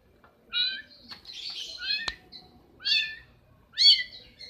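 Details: Long-tailed shrike in breeding condition delivering harsh, nasal downslurred notes in separate bursts about once a second, interspersed with scratchy buzzes and a single sharp click, against a quiet background.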